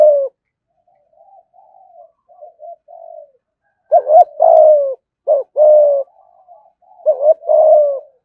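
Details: Spotted dove in captivity, thúc gù cooing: soft, quiet murmured coos first, then three loud phrases of short paired hoots each followed by a drawn-out falling coo.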